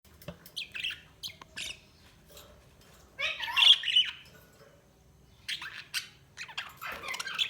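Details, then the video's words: Budgerigar chirping in bursts of squawky, harsh notes and short rising-falling warbles, with quiet gaps between; a low hum sits underneath. "Budgies Sounds| Budgies Chirping sound"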